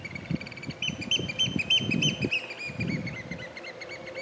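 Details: A ringed Eurasian oystercatcher on the River Wharfe, Yorkshire Dales, in early June 2022, recorded from a fair distance, gives loud piping display calls for courtship and territory: shrill, repeated peeps in a rapid excited series over low rumbling noise.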